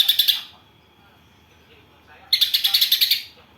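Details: Greater green leafbird imitating tree sparrows: a short buzzy chatter, a pause of nearly two seconds, then a second burst of about ten fast, harsh pulsed notes.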